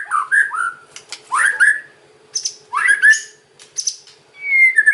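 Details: White-rumped shama singing kretekan lure phrases: short swooping whistles and clicky crackles in separate bursts with brief pauses, ending in a thin drawn-out whistle; low steady hum underneath.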